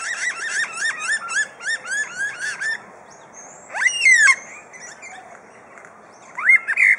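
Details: Superb lyrebird kept at Adelaide Zoo, Australia, reeling off mimicked sounds such as birds and tools: rapid bursts of looping whistles, then a pause, a loud rising sweep with a whip-like crack, and further rising whistles.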